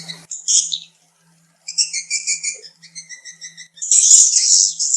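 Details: Swiftlet calls used to lure birds into nesting houses: bursts of high buzzy twitters and rapid chirp series separated by a pause, ending in a loud rasping chatter, with a faint low hum.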